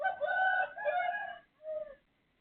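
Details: Rooster belonging to a neighbour, heard at 3:35 am on 18 December 2024, gives a loud, harsh two-part crow followed by a shorter, softer falling note.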